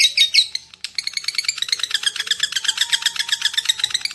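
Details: Lovebird chatter used as a lure for other lovebirds: a few loud squeaky notes, a short gap, then a quick, uneven string of high clicking chirps.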